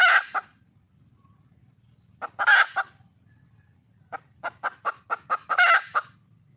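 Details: Wild red junglefowl hen seeking a mate: loud harsh squawks separated by quiet gaps, then a fast run of short repeated clucks ending in another raspy burst; faint low rumble in the background.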